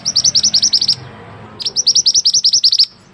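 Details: Mantenan bird tutor song: two bright, rapid trills of evenly repeated high chipping notes, each about one to one and a half seconds long, separated by a short pause.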